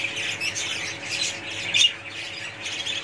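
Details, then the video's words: Budgerigars in a colony, a dense high chatter of chirps and scratchy squawks with one louder sharp squawk near the middle; faint background hum. "budgies parrots colony"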